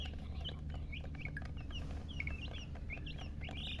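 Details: Chicks giving scattered soft high peeps, short and uneven, over a prominent low steady hum.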